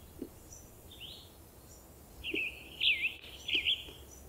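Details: Western Tanager singing in spring in mixed forest at Peavy Arboretum and McDonald Forest, Coast Range foothills; short raspy, robin-like phrases with burry slurred notes, one brief phrase then a longer burst, with soft lower chips in the background.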